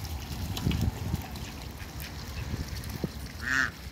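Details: Backyard with two pairs of mallard-hybrid and Pekin ducks: a single short, nasal duck call near the end stands out above steady low rumbling and handling noise.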